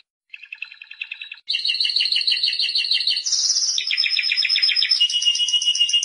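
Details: A Spanish Timbrado canary delivers a soft opening trill, then loud continuous rolling trills that change pitch in steps, with bright high phrases and lower bubbling runs.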